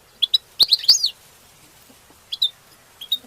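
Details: Goldfinch song meant to excite other goldfinches to mate: a quick run of sharp high twittering notes with a slurred sweeping phrase, then a pause and a few isolated chirps.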